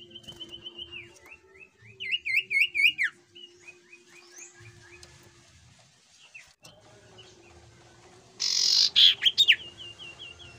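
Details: Jungle flycatcher singing as a lure to set other birds off. It gives level whistles broken by quick rolling, looping slurred phrases and scattered sharp notes. A loud broad rasping burst comes near the end, with a faint steady hum throughout.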